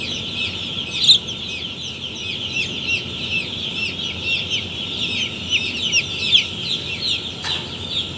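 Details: Many day-old chicks on their first day in an automatic poultry farm in Pakistan, giving a continuous chorus of shrill, short peeps, a few louder individual cheeps standing out over a steady low hum.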